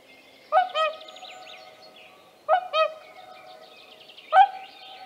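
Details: Whooper swans with young recorded at Tāši, Latvia, on 15 May 2024: three resonant trumpeting calls, the first two doubled, about two seconds apart, with small songbirds twittering faintly behind.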